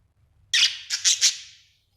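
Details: Pet budgerigar chirping happily indoors: a short burst of harsh, buzzy chirps, one longer note followed by three quick clipped ones, then quiet.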